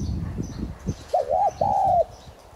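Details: Spotted dove (subspecies tigrina) used as a decoy, one thúc gù phrase: a short double coo then a longer steady note, low and mellow, preceded by knocking and rustling sounds.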